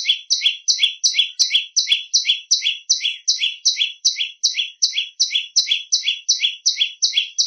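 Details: Continuous shrill prenjak lumut song for training other birds, a rapid string of bright two-pitched notes repeated at a steady beat with nothing else audible.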